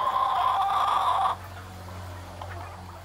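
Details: Pradu-coloured hybrid red junglefowl, comb not yet dubbed, giving a loud, steady, harmonic crow-like note held for about a second and a quarter. It cuts off abruptly, leaving a quiet low hum.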